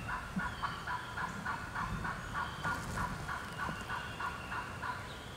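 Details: A lone wild turkey hen in the Georgia turkey woods, fired up and calling back, gives a steady run of evenly spaced yelps, soft and somewhat distant, over a low rumbling background.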